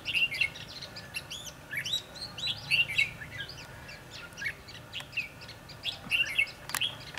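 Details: Red-whiskered bulbuls during bird trapping, 22 December 2015; lively whistled phrases with sharp rising and falling notes, repeated in bursts roughly every few seconds amid a busy background of other chirps and a single sharp click.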